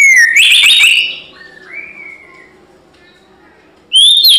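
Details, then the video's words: White-rumped shama, fighting song: a loud whistled phrase with a rich warbled burst, a soft long drawn whistle, a pause, then a sudden high rising whistle. "CUMA SEBANTAR MURAI LAIN IKUT GACOR TARUNG"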